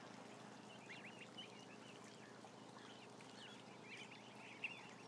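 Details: Large group of roughly 1,000 ducklings: quick, thin peeping notes tumbling over each other in a busy chorus, one louder chirp near the end, steady background hum.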